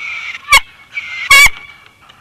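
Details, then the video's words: Bald eagle pair at the nest in Big Bear, late February 2021, during an incubation change as the female gently pries her mate off the eggs; high thin chittering squeals in two bursts, with sharp clattering knocks between. "Big Bear Eagles🦅Sweet Nothings🎶Jackie Gently Pries Shadow Off The Eggs"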